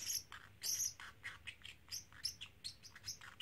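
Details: Pet parrotlet, a 3-month-old male that repeats phrases like "Silly Birdie Bird" and "Do You Want to Come Out", chattering in quick, high, scratchy chirps, two or three a second, with short pauses and a quiet background.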